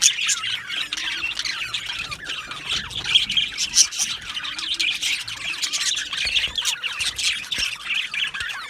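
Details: Aviary colony of Australian budgerigars keeps up a steady, busy twittering: countless short chirps and curving squeaks layered from several birds, bright and high, with a few louder notes standing out.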